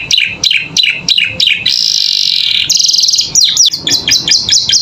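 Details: Canary tutor song for captive birds: several falling whistled notes, then a long buzzy sustained trill, a bright rapid rattle, and more quick down-slurred chirps.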